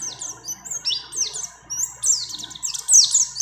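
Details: Female mountain white-eye in breeding condition calling a male, song mixed with other birds' phrases: high, sweeping twittered notes in quick bursts, rising and falling, growing louder toward the end.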